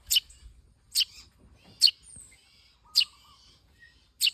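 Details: Young Eurasian tree sparrow being fed by hand utters sharp, high cheeps repeated roughly once a second, five in all, with faint rustling between them.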